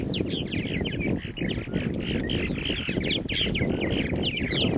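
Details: Colony of purple martins around nesting gourds at Lake Mackintosh in Gibsonville, North Carolina, filmed with a Canon Powershot SX-40 HS; continuous overlapping warbling and croaky chirps from many birds over a steady low rumble of wind or background noise.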